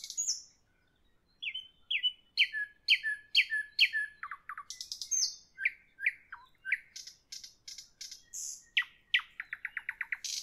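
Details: Evening nightingale song, dense and varied: loud upswept notes repeated in quick pairs, sharp clicking series, slurred whistles and a fast final volley of chipping notes with hardly a pause.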